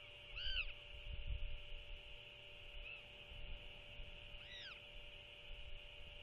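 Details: At dusk on 21 February 2024 a royal albatross parent feeds its chick dinner, then leaves it unguarded for half an hour. Two arched, nasal harmonic calls, with a faint one between them, over a steady background hiss.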